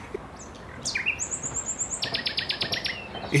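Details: Common nightingale singing: a few high whistled and slurred notes, then a fast dry run of about a dozen rapidly repeated pulses.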